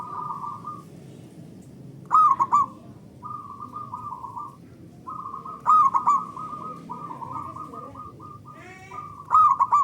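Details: Local zebra dove singing loud, long song, used as a lure to stimulate other doves to sing: purring, staccato cooing phrases with a brighter accented opening note, recurring roughly every three to four seconds over a soft background hum.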